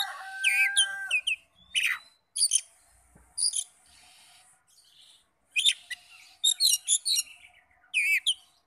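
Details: Oriental magpie-robin song played to draw answers from other magpie-robins: loud rhythmic bursts of sharp chirps and rasping notes, a rising thin whistle, quick high twittering runs, with short quiet gaps between phrases.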